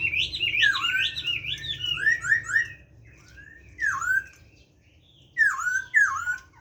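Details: Caged Chinese hwamei singing in forest-voice style: fast loud warbling whistles and slurred descending notes, then a pause and separate bursts of swooping whistled phrases, with gaps of near silence between them.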